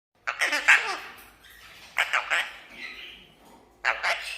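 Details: Pet red-breasted parakeet talking, greeting guests in Vietnamese: three bursts of harsh, speech-like syllables with rapid shifting tones, the first group longest, separated by short pauses in a small indoor room.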